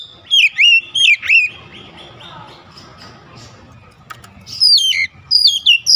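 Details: Oriental magpie-robin song for firing up magpie-robins: loud downslurred whistles with sharp high grace notes, a quieter gap filled with faint low rumble and soft twittering, then further bright descending phrases.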